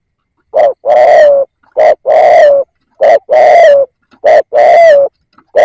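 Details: Caged decoy spotted dove cooing to attract wild doves, four evenly spaced two-part phrases, a quick short coo then a long mellow coo dropping slightly in pitch, about every 1.3 seconds.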